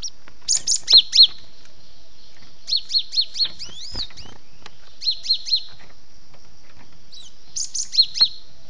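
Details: Java sparrow lure recording used to attract birds, with bursts of high, thin chirps and trills in short clusters about every two seconds, separated by quiet gaps.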